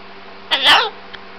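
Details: Cockatoo in a silly mood, talking: one short, rough, breathy vocal burst lasting under half a second, over a constant low electrical hum.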